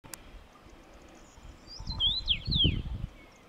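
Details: Common rosefinch singing one slurred whistled phrase of rising and falling notes, clear and sweet, over a low rumbling background noise.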